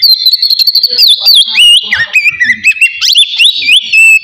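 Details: Oriental magpie-robin, a kept songbird, in relaxed full song used for stimulating breeding drive: dense fast whistled phrases with wavering, sliding notes, loud and nearly continuous with quick high accents.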